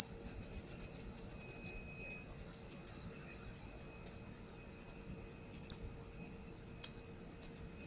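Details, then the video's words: Perched brown-throated sunbird in full song, used as a lure recording: a fast run of thin, very high ticking notes at first, then scattered single and paired chirps with longer pauses. "AKSI KONIN NAGEN BONGKAR ISIAN | Pancingan konin"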